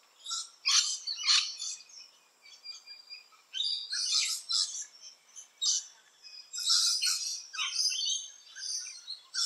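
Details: Rainbow lorikeets in Australia, active around nesting holes, give harsh, grating screeches in short bursts, several per second, with brief quieter gaps between clusters and fainter chattering notes in between.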